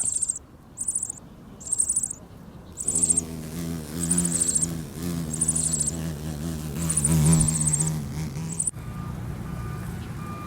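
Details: Meadow bunting nestlings begging and gaping as a parent arrives at the nest: thin, very high buzzy trilled bursts about a second long, repeated in quick series, over background music with an abrupt cut near the end.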